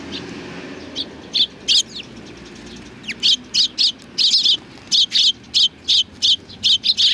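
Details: Sparrows coming out to greet visitors at a Tenmangu shrine, 3 July 2020: after a few scattered notes, sharp high chirps follow in a steady series, roughly one every third of a second, over a soft background hum.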